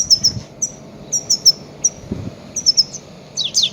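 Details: Goldfinch calls for luring grey-headed goldfinches: short, thin, high chirps given singly and in pairs at an uneven quick pace, ending in a denser jumble of notes.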